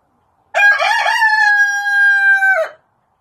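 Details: A clean, loud rooster crow of about two seconds, with a few rough pulsing syllables leading into a long level drawn-out note that ends abruptly, with silence on either side.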